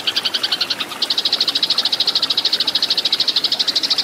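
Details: Eurasian tree sparrows in a fight, used to tutor cage birds: a brief phrase of chirps, a short break, then an unbroken, even run of loud high chirps about eight per second.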